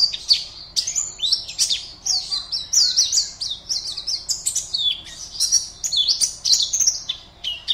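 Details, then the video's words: Caged Oriental white-eye from Pontianak, West Kalimantan, singing as an online singing competition entry: a fast, continuous stream of high, thin chirps and twittering slurred notes with rapid rises and falls, scarcely pausing. "LOMBA PLECI ONLINE 52 - Aksi Pleci"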